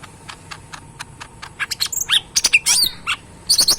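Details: Pet cucak ijo mini (lesser green leafbird), tame and caged, sings briskly after a series of steady clicks: sharp chirps and twisting whistled notes, ending in a quick burst of repeated high notes.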